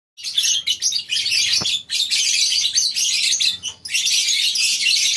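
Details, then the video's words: Many lovebirds in a colony aviary at a breeding farm on a morning, a dense flock chorus of high, shrill chirps and squeaks running almost without pause, with brief gaps near the start and middle. "Suasana Pagi Di Peternakan Burung Lovebirds di Kandang Koloni, Suara Love bird"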